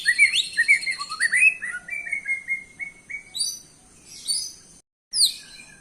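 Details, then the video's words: White-rumped shama singing, a lure song meant to make birds respond: clear whistled notes stepping down, then a long steady whistle and short buzzy chattering bursts. "Auto Bikin Murai Emosi/Nyaut..!! Pancingan Suara Murai Batu"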